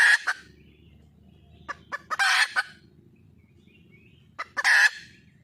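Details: Wild junglefowl hen calling for a male mate: loud, harsh squawking bursts mixed with short clucks, coming in clusters roughly two seconds apart over a low steady background hum.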